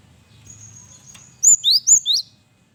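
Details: Male gelatik batu (cinereous tit) in varied lure song: a long thin high whistle, then four loud upslurred notes in a fast run.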